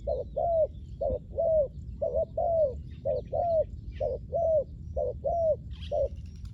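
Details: Spotted dove coos used to attract wild doves at ground level: soft low pairs of notes, a clipped first hoot then a longer slurred one, repeated regularly about once a second.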